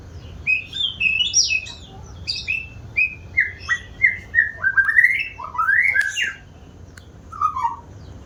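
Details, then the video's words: White-rumped shama, an eager singer, running through varied whistled phrases, sweeping up and down, with fast chattering stretches and a final lone descending whistle. "Burung murai batu rajin bunyi"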